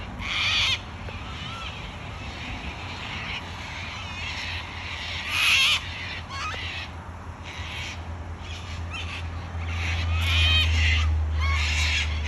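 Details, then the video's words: Wild cockatoos in Australia giving loud harsh screeches, short raucous bursts spaced irregularly, a few standing out louder, over constant low-frequency hum. "Australian wild bird COCKATOO sounds"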